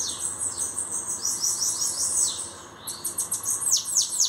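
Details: Newly arrived bananaquit singing a thin, buzzy, very high phrase of slurred falling notes, a short gap, then a fresh run of sharp descending sweeps; faint steady background hum.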